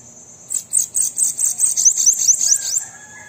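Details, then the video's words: Bananaquit song, known locally as sibite: one continuous, rapid, high-pitched twittering phrase of roughly a dozen sharp notes over two and a half seconds, ending in falling slurs. "Sibite canto para estimular seu Sibite a cantar"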